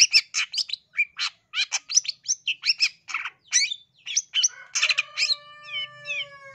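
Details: East Java long-tailed shrike lure song meant to make other birds sing aggressively: fast run of sharp, high chattering notes, then several long, pure, slightly falling whistled tones and short slurred notes.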